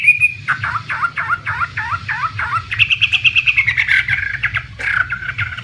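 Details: Chinese hwamei, an imported contest bird, opens with a clear held whistle, then a run of quick down-slurred notes, ending in higher, faster trilled phrases over a faint low hum.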